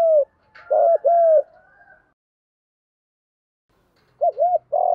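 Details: Spotted dove cooing as a decoy call meant to provoke rival males into answering: low, hollow coo notes in short groups, the first phrase of two to three coos, then silence, then another quick coo phrase, with a faint higher note near the start.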